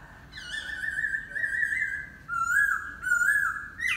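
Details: Laughingthrush singing a run of long, clear whistled notes that slide slightly in pitch, a sustained phrase followed by two brighter, louder whistles and a final rising note; quiet background.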